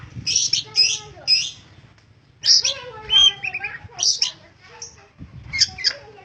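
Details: Long-tailed shrike with persistent song, high sharp chirps in groups of three, then mixed harsh and whistled phrases in several bursts.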